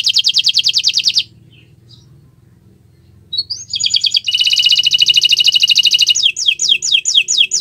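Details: Canary singing on a Friday morning, a rapid trill of doubled notes, a pause with low hum, rising chirps, a long fast buzzy trill and closing downslurred sweeping notes.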